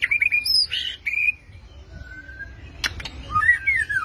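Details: Murai (white-rumped shama) singing: loud, clear whistled phrases, some rising and falling and some warbled, broken by short pauses, with a few sharp clicks near the end.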